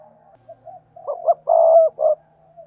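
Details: Spotted dove used as a decoy to attract wild doves, delivering a short phrase of rising soft notes ending in a long loud drawn coo and a final clipped note, over a faint low hum.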